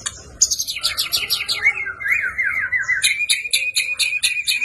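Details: Fighting song of a white-rumped shama (murai batu), full of 'isian' fill for training caged birds. Fast high chirp series run into a wavering rattling trill, then rapid repeated sharp notes.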